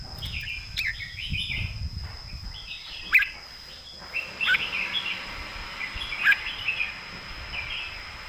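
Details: Caged competition Red-whiskered Bulbul singing its master song with a thick, full voice: short warbled, bubbling phrases spaced a second or two apart, over steady background hiss and low rumble.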